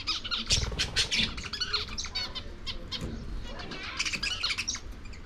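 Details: Several lovebirds eating corn, a dense run of rapid high chattering squawks and chirps, busiest at the start and again near the end, with pecking thumps.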